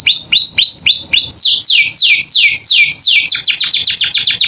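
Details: Canary kept as a pet delivering varied training song: several upward-curling whistles, then long descending glides, then a quicker burst of short downslurred notes.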